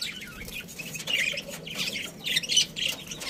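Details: Budgerigars, a breeding pair in a colony, chirping: scattered high squawky and chattering notes in short bursts, several birds calling over one another.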